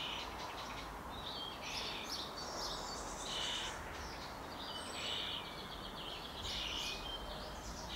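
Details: Hungry young starling, probably nearly fledged, calling as it is fed: irregular grating, buzzy bursts with occasional short whistled inflections, repeated every one to two seconds against a continuous noisy backdrop.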